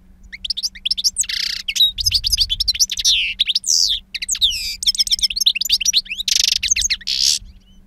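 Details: European goldfinch, aged two, in the wild-song style with a powerful timbre: continuous, busy high twittering with buzzy rasps, sliding whistles and rapid chirp runs, over a faint low hum.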